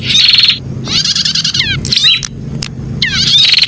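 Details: Prinia voicing a dense rattling trill, then a long scratchy phrase, a few isolated sharp chips, and another buzzy burst, all over a faint low rumble.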